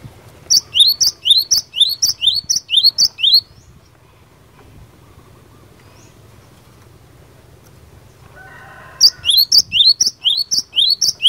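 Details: Cinereous tit, fighter song to make other tits answer straight away: two long runs of rapid, high two-note phrases, about seven each, separated by several seconds of near silence with a soft low trill.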